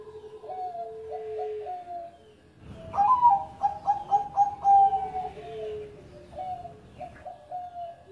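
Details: Bangkok-type zebra dove, formerly a first-place contest winner, singing a rapid run of clipped, rhythmic coos that waver slightly in pitch, set between softer lower tones and short repeated notes in a quiet indoor setting.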